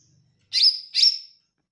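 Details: Olive-backed tailorbird giving a quick doubled note, loud, bright and sharply slurred, in an otherwise quiet setting.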